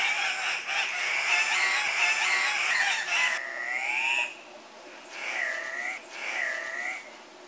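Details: Andean cock-of-the-rock (Rupicola peruvianus) males at a lek, competing for females with displays and calls: loud, nasal squawks, several overlapping at first, then single arched, rising-and-falling calls every second or so.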